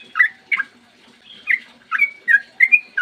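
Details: Sooty-headed bulbul giving its long 'ropel panjang' morning song, meant to lure other bulbuls into singing; loud bubbly whistled notes come in uneven bursts separated by short gaps, some notes dropping and some rising.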